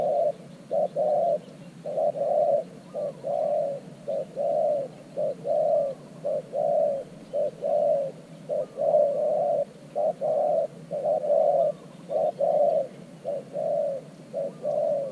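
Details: Spotted dove kept as a fresh decoy beside an earthen trap in Thailand, calling to attract wild doves; a steady run of mellow coos, short notes paired with longer ones, nearly once a second throughout.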